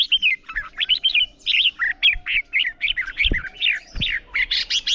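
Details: Red-whiskered bulbul giving its morning fighting song, used to train young birds' voices: rapid chains of bright, warbled notes that rise and fall, phrase after phrase with hardly a pause, plus a few low knocks.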